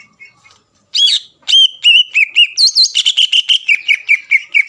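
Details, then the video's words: Contest-style song of a greater green leafbird meant to provoke rivals: after near-silence, a rapid stream of about fifteen bright whistled notes, some looping higher before settling into a steady, slightly falling series. "CUCAK IJO GACOR MEMBUAT CUCAK IJO LAWAN PANAS EMOSI DAN STABIL AGAR NGOTOT"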